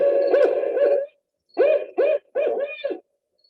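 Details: Recording of a typical Barred Owl call, in a talk on Connecticut owls: a rhythmic series of deep, resonant hoots, a long wavering phrase followed by four shorter hoots ending in a drawn-out note.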